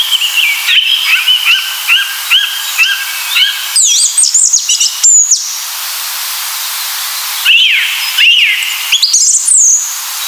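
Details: A Song Thrush sings its clear, rhythmic, repetitive song: a series of short whistled notes repeated quickly, then scratchy high phrases and a pause, after which looping whistles recur two or three times.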